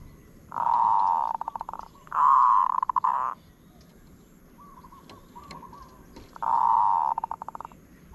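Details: Three phrases of zebra dove song, noted for a good 'od' trill: each is a steady, purring, buzzy trill ending in a run of fast clipped notes, with faint soft cooing trills between phrases.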